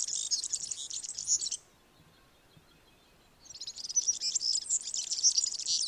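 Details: European serin delivering its typical rapid, liquid twitter of high, tightly packed notes. One long burst of song stops, a silent gap of nearly two seconds follows, then the jingling twitter resumes.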